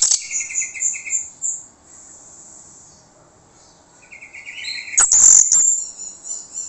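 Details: Lure song of an orange-headed thrush, meant to make other birds answer: a string of quick whistled notes, a quiet pause, more rising whistled notes, then a brief harsh burst.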